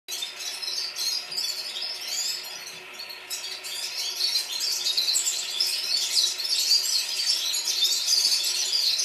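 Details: A flock of red-fronted serins in Baku, Azerbaijan, sings in chorus, a dense, high, jingling twitter running without a break, many overlapping tinkling notes and no other clear sounds.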